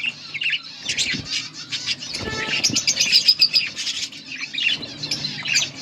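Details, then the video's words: Two yellow budgerigars give scattered, scratchy chirps and squawky notes amid wing flutters and faint clicks, with a low steady hum behind them. "Beautiful budgies parrot yellow pair 💛 budgies chirping sounds"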